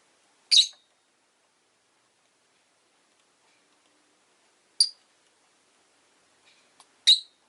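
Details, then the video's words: Pet rosy-faced lovebirds, five birds caged near a window during a calm afternoon, give three loud, very high, clipped chirps spaced several seconds apart, with near silence between them. "Lovebird Chirping Sounds"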